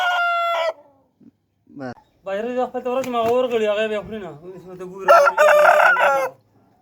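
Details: Aseel roosters crowing, with harsh stuttered notes leading into a long, wavering, loud crow, followed by a brighter, strained final burst. Short clucks come earlier.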